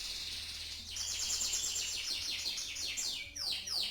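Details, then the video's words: Canary song compared to a legendary champion singer, delivered as a dense, high, buzzy trill of rapid repeated notes ending in several sharp descending sweeps, over a faint low hum. "kenari mirip sang legenda tc1"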